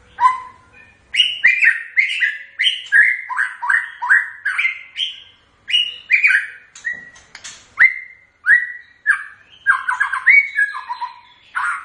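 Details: White-rumped shama in full song: a long, fast series of loud, varied whistled notes, each sharply attacked and slurring downward, repeated almost without pause, with clicks and squeaky high notes between.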